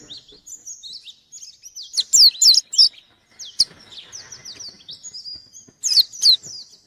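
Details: Lively white-eye challenging an opponent, giving thin high whistled slurs broken by a few loud, sharp rising-falling chirps in short clusters with brief pauses between.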